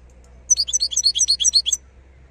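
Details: Wild European goldfinch, recorded in 2022, singing a quick, tinkling twitter of high, bright notes, about a dozen short chirps run together over just over a second, with a faint low hum behind.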